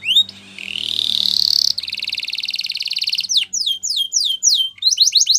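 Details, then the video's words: Canary singing a loud, bright song: a rising rolled trill sweeping upward, then a fast even pulsed trill, followed by a series of quick descending whistled notes repeated in rapid succession; faint low hum underneath. "Canary Yellow Singing"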